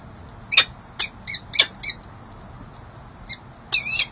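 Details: Peregrine falcon courtship on the San Jose City Hall nest ledge, January 13, 2024, nest camera; scattered harmonic chips, a few paired notes, then a longer wavering squeal at the end.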